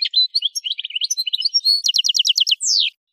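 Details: Algerian goldfinch singing, recorded in Kef El Hammam, Souk Ahras region, Algeria: quick varied twittering notes, then a fast run of about ten repeated sharp descending notes and a final drawn-out buzzy downslurred phrase.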